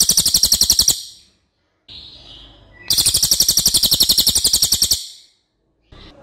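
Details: Loud, long cililin (racket-tailed treepie) song used as a model for other birds: two rapid series of high metallic notes about a second and two seconds long, separated by a soft hissing pause.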